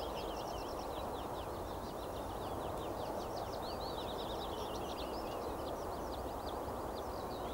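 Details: Male Eurasian penduline tit building its nest gives a steady stream of thin, high, down-slurred call notes over a loud, constant rushing noise.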